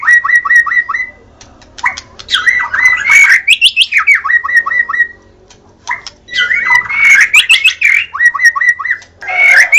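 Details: Varied white-rumped shama song for prompting birds to respond, with repeated whistled phrases, fast descending note series, harsh bursts and rich warbling, over a faint background hum.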